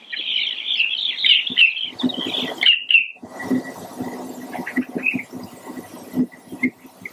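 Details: Pied avocet calling: a dense run of clear, fluty, slightly slurred notes for about three seconds, then scattered single notes, over steady low thumping and rustling background noise.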